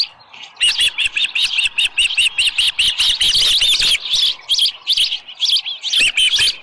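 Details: Ranch osprey nest, morning of 24 July 2018 near 6:52, headless fish at hand; quick insistent series of high whistled cheeps, roughly two per second, running almost continuously after a brief quiet start.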